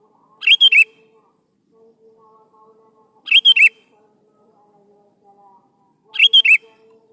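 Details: Sooty-headed bulbul in full voice, used to coax young bulbuls to respond, repeats a short warbling phrase ending in a falling note roughly every three seconds, three times, over a faint background hum.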